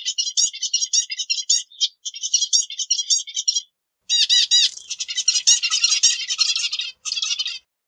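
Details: Zebra finch singing a long stream of fast, squeaky, nasal syllables. After a brief silence come strident, sweeping notes that run into a busy, buzzy jumble. Clean recording with no other sounds.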